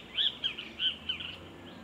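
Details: A Vermilion flycatcher in the Pantanal de Nhecolândia, Mato Grosso do Sul, Brazil, gives five or so sharp, high chirps in quick succession, a few slurring down, over a soft hiss of background noise.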